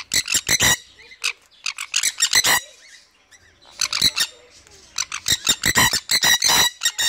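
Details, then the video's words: Threatening red factor Jenday conure, a pet bird confronting its owner: rapid staccato harsh squawks in quick volleys, a quieter pause midway, then a renewed fast string of clipped, rasping notes. "JENDAY CONURE - THREATENS THE INTRUDER (ME) LIKE BULL"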